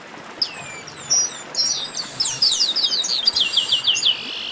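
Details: Chestnut-capped blackbirds chattering in a 'baderna': scattered high whistles building into a dense stream of overlapping slurred chirps and trills that grows steadily busier.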